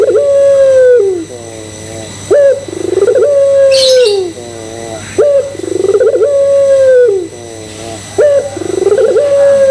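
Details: Puter pelung Barbary dove cooing as a lure to set other doves calling: about four phrases, each a rough rolling start swelling into a long, steady, mellow hoot, repeated every two seconds or so, with a brief hiss midway.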